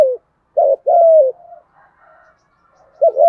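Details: Spotted dove used as a trapping lure, cooing in the deep 'thổ' voice to challenge wild doves. A brief note and an arched coo drooping at its end, faint murmuring, then a two-part wavering coo.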